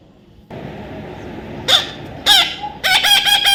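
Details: Baby parrot gives two single rasping squawks, then a rapid chattering run of harsh, nasal notes over a background hiss.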